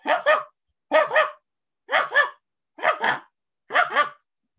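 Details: Canada Goose, now a common year-round resident in North Texas, honking five times about once a second, each a loud, nasal two-part 'ha-ronk' with a rising then falling tone.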